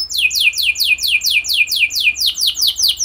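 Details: Canary singing to spur other canaries to sing: a quick series of sharply falling whistled notes, about six per second, evenly repeated.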